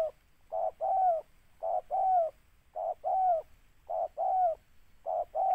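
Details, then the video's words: Spotted dove being lured for trapping, cooing in a regular two-part phrase, a quick note then a longer coo that dips at the end, repeated five times with clean silence between. "TEKUKUR PR"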